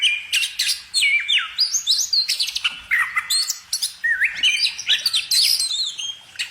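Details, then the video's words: Bird chirping in quick sequences of bright whistled notes, stepped rising and falling phrases delivered almost continuously at high pitch. "kicau burung"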